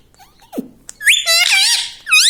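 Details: Indoor pet parrot, said to say "mummy papa", with a brief soft note and a click. These are followed by loud, rich, wavering speech-like syllables and a final rising call.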